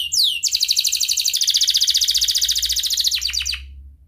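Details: Lure song of a gacor canary in ngerek style: a couple of rising whistles lead into a long, even, rapid trill of repeated notes that ends in a few slurred sweeps, with low background rumble.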